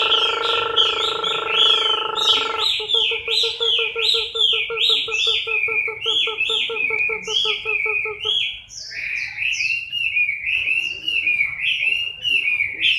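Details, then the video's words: Chinese hwamei in moult, October 2015, singing a long, lively sequence of whistled phrases that climb and fall repeatedly. A low humming tone gives way to rapid pulsing beneath, which stops partway while the song continues. "HỌA MI THAY LÔNG"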